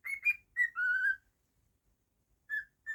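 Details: Cockatiel, a household pet, giving quick whistled notes that rise, then a longer sliding whistle that dips lower, followed by silence and two short clear whistles near the end.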